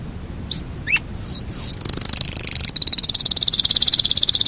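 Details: A Yorkshire canary delivers a long rolling song. Several sliding whistled notes lead into an unbroken, high, rapid rolling trill that runs to the end.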